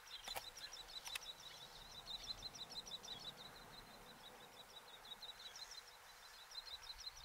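Little Tern giving a quick, steady run of sharp, high chirping notes, about three per second, with two brief clicks early on.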